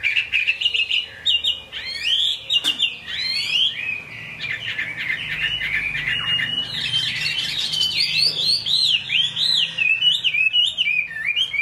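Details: Chinese hwamei singing in rain, a caged songbird: a long, rich medley of sharp upward-flicked notes, then sustained mid-high rambling warbles with bouncy looping phrases, one click-like snap early on.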